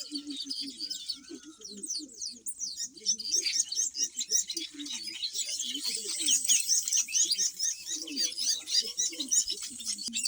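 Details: Black-winged weavers at their nests on a homestead, a yellow bird and a black one building together: continuous high, rapid, buzzy chattering from several birds, with softer lower twitters underneath.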